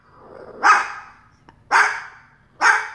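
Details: A pet umbrella cockatoo (Cacatua alba) barks at the neighbour's dog, copying its bark with three short, hoarse, harsh woofs about a second apart, with no other clear sounds.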